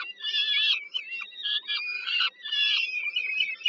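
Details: Peregrine falcon nestlings at a Warsaw power plant, Poland, in mid-July 2022, calling while the mother feeds them at dinner: continuous rasping, wavering wails in three thick bursts with short dips between them.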